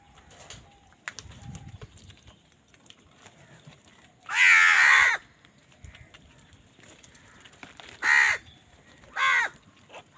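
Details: Crows fighting over food: three loud harsh caws, the first long at about four seconds, then two shorter ones near eight and nine seconds, over quiet background with faint clicks and rustling.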